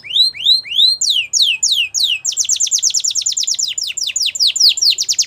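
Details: Belgian canary song used for canary training: a few slow rising whistled swoops, then a fast series of downward-sweeping high notes repeated about three times a second, loud and clear with no other sounds.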